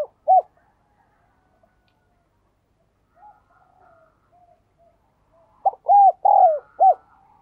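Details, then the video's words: Spotted dove giving a single low coo, then near silence with faint distant notes, and finally a burst of four or five quick mellow cooing notes near the end. "cu gáy"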